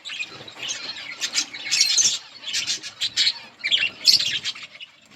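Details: Many budgerigars chirping in a colony, harsh squawky chatter in pulsing clusters separated by brief quieter gaps.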